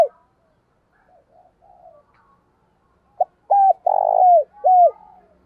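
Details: Lure spotted dove cooing strongly and ringingly in the morning. Soft, faint murmured notes are followed by a brief clipped note, then three loud, deep coos delivered close together, with quiet between the phrases.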